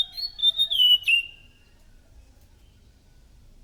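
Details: Chestnut-capped thrush, recorded as a lure sound, giving one loud burst of clear, high whistles that slide downward and fade, followed by quiet.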